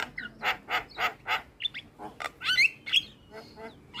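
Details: Javan myna (jalak kebo) lure recording meant to prompt a reluctant bird to sing: a rapid run of harsh, rasping bursts about four per second, followed by bright squeaky whistles and chattering notes.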